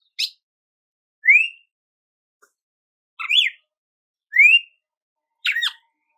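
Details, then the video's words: Red-cowled cardinal singing clear upslurred whistles alternating with buzzier descending phrases, about one per second, nothing else audible. "GALO DE CAMPINA CANTO CARDEAL"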